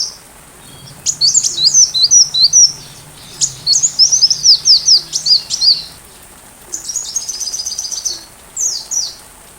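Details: Sunbird song used as tutor material for a white-rumped shama: bursts of thin, high twittering notes and quick slurred chirps in two long phrases, a pause, then a shorter jingling run and a few separate chirps.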